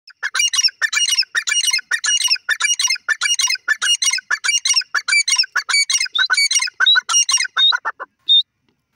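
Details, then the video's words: Kept teetar (francolin) calling loudly: harsh, grating squawked notes repeated rapidly in a steady series for about eight seconds, ending with a lone higher note. No other sounds. "my lovely teetar ki lovely awaz"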